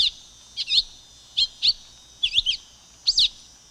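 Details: Song of a silver-beaked tanager: a few brisk, high, scratchy notes, several in quick pairs, separated by short pauses, with a soft steady background hiss.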